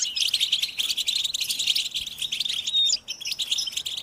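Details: Group chorus of European goldfinches, used to stimulate captive males to sing: fast, bright twittering and chattering with quick trills and short whistled notes, several birds overlapping without pause.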